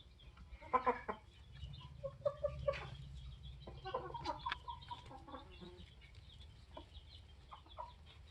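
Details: 21-week-old Polish layer hens kept with a protective rooster. Clustered, nasal clucks and brief stacked tonal notes come in bursts at the start and middle, then quieter scattered calls over a low background rumble.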